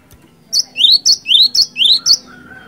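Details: Vigorous cinereous tit song meant as a lure. A steady string of four rapid repeated phrases, each a high sharp note then a rising slurred whistle, ends in a lower fading note.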